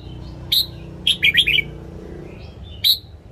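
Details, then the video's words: Red-whiskered bulbul, a caged bird, singing a morning training song: a single bright note, then a quick cluster of four or five warbled notes, and another clear note near the end, over faint low room hum. "Luyện giọng chào mào hót sáng DÙNG ÉP BỔI / ép má trắng"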